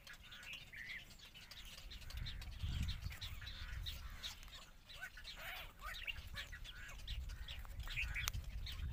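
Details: Intermediate egret (Ardea intermedia) feeding its chicks: busy, squeaky chattering calls in quick, uneven bursts over a steady low rumble of wind or handling noise.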